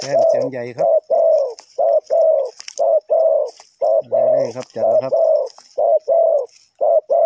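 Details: Spotted dove used to lure wild birds during trapping, giving steady, repeated mellow coos about once a second, with lower, deeper coo sounds overlapping at times and scattered high chirps behind.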